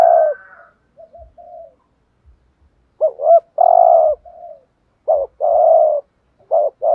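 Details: Spotted dove decoy cooing, 'thúc gù' style, to attract and excite other doves: soft low coos, then repeated loud phrases of bouncing double coos and long buzzy held coos, coming quickly near the end.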